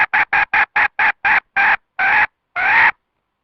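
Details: Red junglefowl hen call, used as a lure to draw wild birds into a trap: eight short, evenly spaced harsh clucking notes in quick succession, then two longer drawn-out notes, on a silent background.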